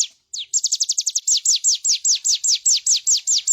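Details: Bar-winged prinia song meant as a master for training birds: a quick flurry of high, falling chips that slows into evenly spaced, longer, downswept notes about four per second, in clean surroundings.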